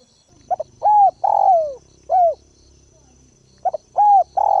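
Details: Ground decoy spotted dove calling to lure and provoke wild birds: repeated phrases of two short clipped notes followed by drawn-out, downward-sliding coos, phrases spaced about two seconds apart, with a soft low rumble underneath.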